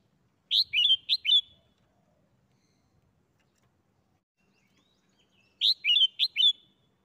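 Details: Red-whiskered bulbul kept in a cage, delivering the bern doubled song style: two lively phrases of four clear, bouncing whistles, separated by roughly four seconds of quiet.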